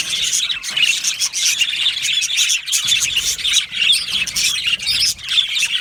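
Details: A colony of yellow male budgerigars chattering in an aviary, rapid high chirps and grating warbles layered into a dense unbroken chorus.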